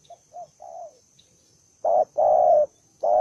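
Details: Aggressive, fighting-mood spotted dove: a soft run of short, faint coos and a drawn-out falling note, then after a pause loud, full coos, a short note and a long hoot, starting again.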